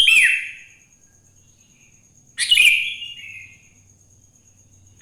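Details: Morning song of a wild sooty-headed bulbul, used to coax other bulbuls into singing: two bright, bubbly falling phrases about two seconds apart, a third starting at the end, with a low faint hum underneath.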